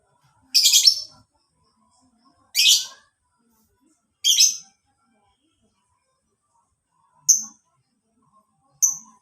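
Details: Lovebird calls used as training song for caged birds: three harsh, buzzy chirps spaced about two seconds apart, then two shorter, thinner squeaks after a pause.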